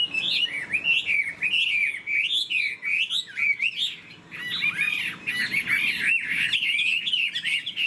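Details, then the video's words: Caged Chinese hwamei, a spread-tailed bird flicking its wings and tail, sings a loud continuous run of rich whistled phrases that rise and fall quickly, with repeated warbling swoops and no pauses across the whole stretch. "Họa mi đuôi xòe chơi cánh, bóng bộ cực đẹp, hót vẩy đuôi khướu"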